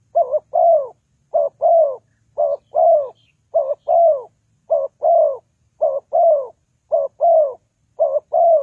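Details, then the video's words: Lure call of a spotted dove for trapping birds: regular, mellow coos, each phrase a clipped double note and a sustained falling coo, repeating evenly about once per second. "The Sound Of Spotted Dove is very good,Bẫy cu gáy bằng mồi trồn"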